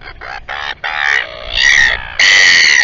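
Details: Royal albatross at the Taiaroa Head colony near Dunedin, New Zealand, giving short harsh harmonic calls that build into longer, louder braying notes toward the end.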